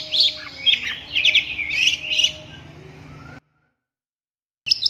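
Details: Rapid, twittering song of a long-tailed shrike, full of high squeaky and buzzy notes for about three seconds, then a sudden silent gap before a final brief burst.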